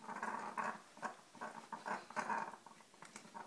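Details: An African grey parrot at home in Texas tosses the kitchen rug around on the floor, giving raspy, throaty growls in short bursts that start low and swell louder toward the end, as if unsure whether to befriend the rug, in a small indoor room.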